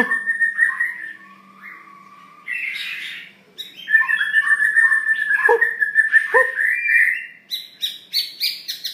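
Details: Long-tailed white-rumped shama song, a territorial forest bird: sustained clear whistles, a long steady whistled note mid-phrase, downward-sliding notes, then rapid high chattering at the end, with a faint low hum underneath.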